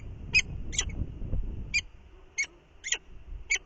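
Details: Falcon pair at the nest on a windy morning as the female returns to relieve the incubating male. Short, sharp high calls repeated about every half second, with wind rumbling underneath.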